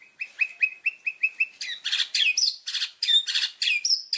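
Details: A White-rumped shama sings energetically on a master recording for training birds, giving a row of repeated rising whistled notes followed by loud harsh rasping bursts and high slurred notes.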